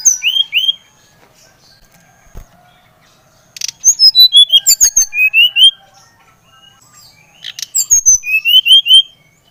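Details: Singing brown-chested jungle flycatcher known as SRDC Bali, played to stimulate other birds to sing: short rising-falling whistled notes, then two longer bursts of rapid bright whistles sliding downward, with scattered dry clicks between phrases.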